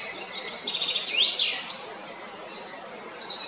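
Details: A male common blackbird (Turdus merula) at Jarun, Zagreb, Croatia, on 22 April 2021 sings high, squeaky twittering notes with quick rising and falling slurs, then a softer phrase near the end over faint background hiss.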